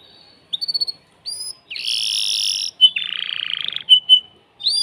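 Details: Song of an excited male canary in a cage, urging a female to mate: brief whistled notes, a loud buzzy rattle, a lower churring trill, and sharp upslurred whistles between pauses.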